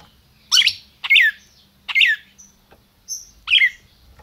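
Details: Red-crested cardinal from a Brazilian captive breeder, the 'máquina' type, calling: five loud, clipped notes that drop sharply in pitch, spaced about half a second apart, with a faint hum underneath.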